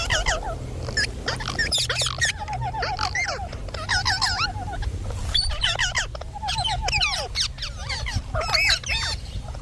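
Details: Indian ringneck parakeet kept as a pet, talking in rapid bursts of harsh, chattering syllables with short repeated falling notes, over a faint low background hum.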